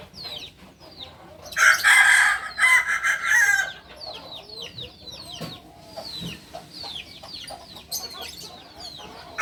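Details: Crowing from a Kukuak balenggek rooster of Solok, West Sumatra: a loud, harmonically rich call in stepped, broken phrases over about two seconds, with frequent short chirps from other birds before and after.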